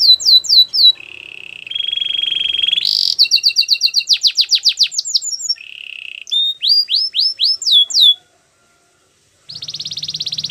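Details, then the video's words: Belgian canary singing a training song to prompt a silent canary: rapid whistled trills, a steady buzzy roll, then fast descending slurred notes, ending in a short pause and a dense buzz. "Your canary is silent ? turn it around so it will sing a long | Belgian canary"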